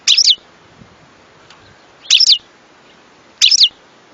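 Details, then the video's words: European goldfinch giving three brief, bright twittering bursts spaced over a few seconds, with faint background hiss between them. "صوت حسون"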